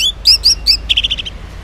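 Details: Orange-headed thrush in full morning 'ngeplong' song, meant to prompt silent males to reply: three clear whistled notes in quick succession, then a fast, even series of six short repeated chips.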